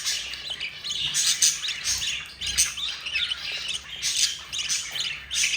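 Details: Four budgerigar chicks being fed by their yellow mother: dense, harsh, raspy chirping bursts in quick succession, rising and falling in loudness every second or so, high and noisy throughout.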